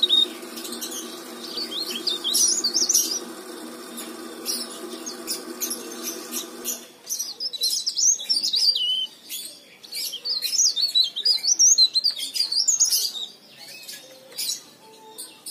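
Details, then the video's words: Energetic leaf warbler song used as a lure for other leaf warblers: very high, thin twittering phrases with quick wavering notes and sharp ticks, a steady low hum under the first half, then cleaner bursts of warbling. "burung cikrak daun gacor istimewa"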